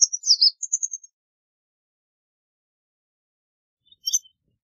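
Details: White wagtail giving a quick burst of high, sharp twittering chirps in the first second, then a short pause and one more high double chirp near the end. No other sounds.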